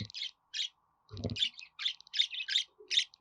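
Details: Budgerigar warbling meant to make a pet budgie sing: quick buzzy chirps, some with a thin whistled tone, and a low rumbling knock partway through.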